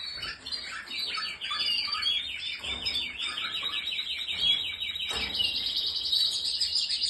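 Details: Spanish Timbrado canary singing a long run of rapid, rolling high trills, each phrase a quick series of repeated notes, shifting to a brighter, higher trill near the end; faint background hiss.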